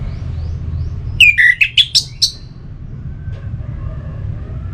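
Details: Orange-headed thrush singing, used to stir birds into song: a single phrase opening with a falling whistle, then a quick run of five sharp rising notes, over a faint low rumble.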